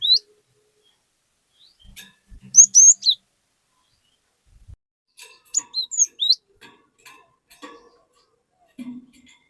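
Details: Lively cinereous tit song meant to draw other tits into singing: two short groups of high, clipped whistled notes separated by pauses, with scattered faint clicks and knocks.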